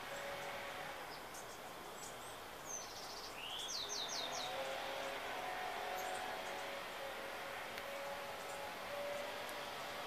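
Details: Bushtit in San Diego, California, 16 January 2017, giving thin, high tsit notes and a quick run of sharp, slurred chips, over a steady hiss with faint low chime-like tones.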